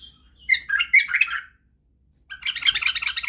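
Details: White-eared bulbul, local name Badrawi, singing to teach young bulbuls. A thin whistle leads into a lively warbled phrase. After a silent pause comes a dense, rapid run of chattering notes.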